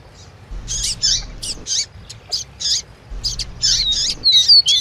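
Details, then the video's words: Male double-collared seedeater giving its 'tui tui' song answered by female piping calls; high, buzzy chip notes in clusters with brief gaps and a few thin descending whistles, with a faint low hum behind. "PAPA CAPIM CANTANDO TUI TUI COM PIADO DE FÊMEA"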